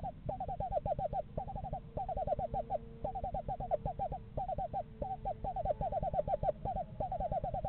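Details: In November a pair of screech owls inspects a yard owl house; quick, evenly pitched trills of tremulous hoots in repeated bursts, separated by short gaps, with faint low background hum.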